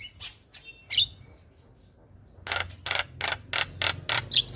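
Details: Javan myna morning call intended to make other mynas respond: a few scattered scratchy notes, a quiet pause, then six loud harsh rasping bursts in steady succession over a low background hum.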